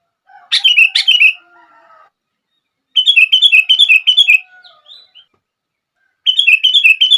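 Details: Sooty-headed bulbul song for setting off other bulbuls: a couple of sharp bubbly notes, then long fast chattering runs of repeated warbling syllables.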